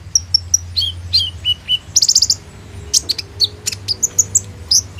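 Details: Sunbird in full song, a lure for training young birds, recorded by phone: falling high whistled notes, a quick burst of sharp chips, then varied piercing chirps and whistles.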